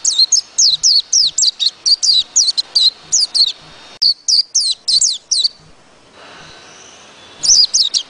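A white-eye sings a rapid, high twittering of thin slurred notes, two or three each second, pausing briefly before resuming.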